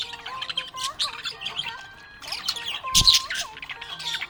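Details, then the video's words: Budgerigar in a happy mood, chattering with quick high twitters and buzzy squeaks, a brief lull mid-way, then a loud burst, while soft sustained tones hold steady below. "Happy budgie chirping sound"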